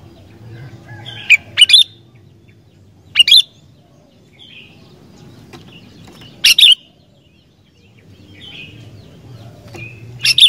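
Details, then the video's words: Sooty-headed bulbul in lively song, used to prompt wild bulbuls to sing: scattered sharp whistled notes and brief warbled pairs spaced a few seconds apart, with a soft low rumble between them. "Burung Kutilang Gacor Dooor, Cepat Bikin Kutilang Liar Langsung GACOR"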